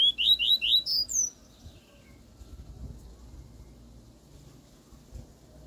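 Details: Pure 'tui tui' song of a double-collared seedeater, a style meant for tutoring a young bird: three or four bright, repeated upslurred whistles followed by a sharp rising note, over a little more than a second, then near silence.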